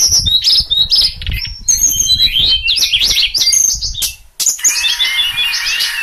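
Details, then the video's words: Songbird called sulingan delivering a busy run of high whistles and quick chirps, with a short pause near the end before a fresh burst of thin, sliding notes. "merdunya suara burung berkicau sulingan"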